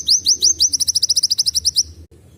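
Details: Van Hasselt's Sunbird with a canary-like phrase used to train young birds: several bright upslurred notes quicken into a rapid high trill lasting under two seconds, then a faint low hum.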